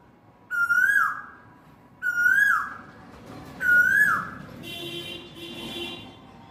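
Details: An Asian koel calls on a spring afternoon from a guava tree in a courtyard while eating guavas: three loud whistled notes, each swooping up then down, about one every one and a half seconds, then a fainter, harsher buzzy sound.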